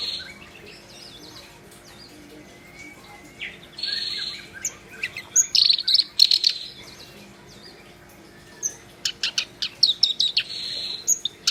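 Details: Black-browed reed warbler singing vigorously: bursts of sharp, scratchy high chirps and harsh buzzy notes, a quiet stretch in the middle, then a fast chattering run near the end.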